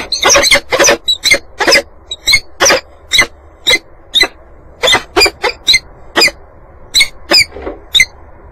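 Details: Harsh, grating cries from peregrine falcons nesting on a water tower at Axel, spring 2011 (March to May), come as short separate bursts at irregular intervals over quiet background hiss.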